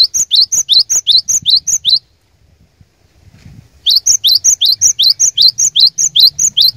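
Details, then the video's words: Challenging song of a cinereous tit used as a lure for rival birds: loud rhythmic two-note phrases repeated rapidly, broken by a two-second silence before an unbroken stream resumes. "Kicauan Glatik Batu Pikat Gacor Door, Cari LAWAN...!!! Dijamin Cepat Bikin Glatik Lain Bunyi Gacor"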